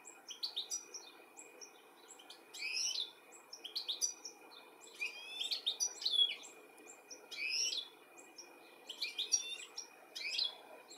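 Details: European goldfinch in the UK, recorded 13 July 2017, calling while looking for its young: bright twittering notes with sharp rising and falling chirps in bursts, repeated through the recording over a quiet background.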